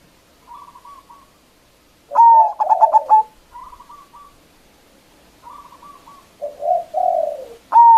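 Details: Loud local zebra dove sung as a lure to provoke rival doves. Two full phrases, each a long coo and a run of rapid pulsed notes. Fainter answering coo phrases and lower warbled notes come from other doves between them.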